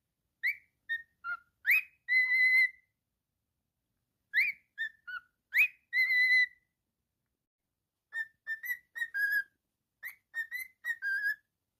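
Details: Pet cockatiel whistling in a quiet room: short phrases of sliding notes ending in a long steady whistle, repeated, then a faster string of brief chirpy whistles.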